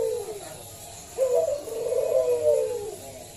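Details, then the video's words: Local zebra dove lure sound: one soft falling coo, a pause, then a long, wavering run of mellow coos. "Pancingan Perkutut lokal SUARA BESAR"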